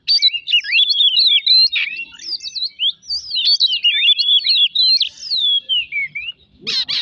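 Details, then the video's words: Oriental magpie-robin song used as a lure to provoke other birds into singing: a rapid, varied run of clear whistled notes sliding up and down, densely packed for about six seconds, then a short harsh burst at the end. "pemancing emosi burung kacer"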